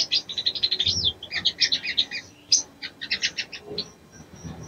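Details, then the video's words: Ruby-cheeked sunbird female calling to rouse a male, pouring out lively high chattering notes and short twittering phrases, with a faint low murmur in the background. "SOGON BETINA MEMANGGIL JANTAN‼️SANGAT AMPUH MERANGSANG BIRAHI SOGON JANTAN"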